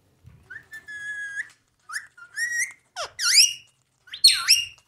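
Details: Ring-necked parakeet giving a level whistled note, a short wavy whistle, then several loud, harsh, down-swept squawks spaced roughly a second apart.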